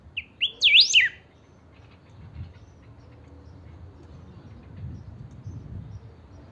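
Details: Chiviro, or saffron finch, a kept songster in full voice, its song used to rouse other chiviros to sing. One quick series of loud, sharply rising and falling whistled sweeps opens, followed by quiet background hum.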